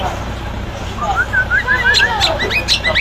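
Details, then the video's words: Loud song of a six-year-old sooty-headed bulbul, a string of short rising and falling whistled notes, tumbling faster toward the end, against a background hum and faint voices. "CUKUP NYARING !! Suara Burung Kutilang Berumur 6 Tahun."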